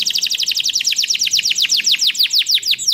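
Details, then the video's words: Canary song played as a lure for other canaries: a rapid, continuous string of bright, high notes, each dropping sharply in pitch, slowing slightly toward the close. "Sekali Putar Kenari Lain Langsung Nyaut Bunyi Gacor || Voice of Canary"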